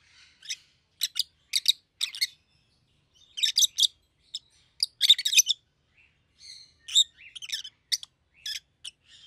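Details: Two rosy-faced lovebirds, yellow and green with red heads, keep up a steady run of short, shrill chirps in uneven clusters, some rising into rapid chatter.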